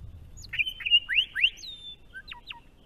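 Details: Melodious spring song of a Grey shrike-thrush in Australia: a clear whistled phrase of level and rising notes, then sweeping slurs and a few short high descending notes, with little background noise.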